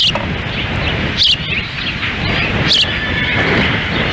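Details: During a windy feeding at an osprey nest in Lolo, Montana, on June 10, 2017, with the male standing by the female; a few thin, high chirps, dipping slightly, sit above continuous wind roar.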